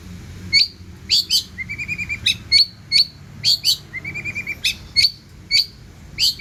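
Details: Long-tailed shrike singing busily with many mimicked elements: clear high whistled notes repeated in pairs, broken by soft lower twittering trills.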